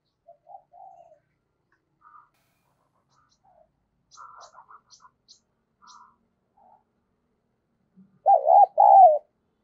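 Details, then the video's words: Spotted dove kept as a decoy, calling to lure wild doves: after several seconds of faint scattered notes, a loud two-part coo, low and mellow, ends the recording. "Chim Cu Mồi gáy gọi và thúc bổi mới nhất, chim cu gáy kích bổi"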